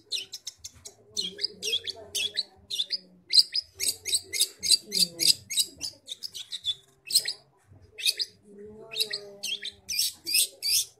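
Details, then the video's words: Long-tailed shrike from Bojonegoro singing vigorously: rapid bursts of sharp, high, scratchy notes in quick clusters, pausing briefly between runs, with faint low rumbling underneath. "Cendet gacor bojonegoro"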